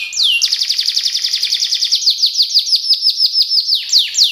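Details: Canary singing in fast speed-roll style, a long rapid trill of descending high notes at steady pace, opening and closing with a few slower swooping whistles.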